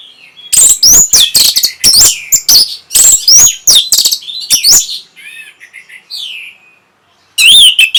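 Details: Orange-headed thrush singing to arouse breeding mood and invite response. A long, energetic stretch of fast, loud, varied high notes and slurred phrases, a quieter passage of soft whistles, then a renewed loud burst.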